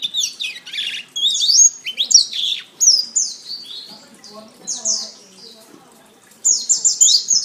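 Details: Canary song used as a masteran tutor recording for training caged songbirds: rapid high chirps and sweeping twittered phrases, broken by short pauses, with a quiet stretch near six seconds before a fresh burst of trills.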